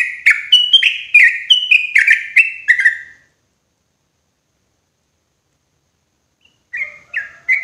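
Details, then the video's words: Loud, clear sooty-headed bulbul lure call for trapping birds in forest: about eight chattering whistled phrases, each dropping slightly, packed into three seconds, then silence before three more notes resume. "SUARA PANCINGAN TRUCUKAN KERAS JERNIH COCOK UNTUK PIKAT TRUCUKAN DI HUTAN"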